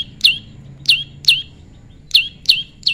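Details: Tame prinia pairing naturally: loud, clean chips that drop quickly in pitch, delivered in two groups of three with a short gap between.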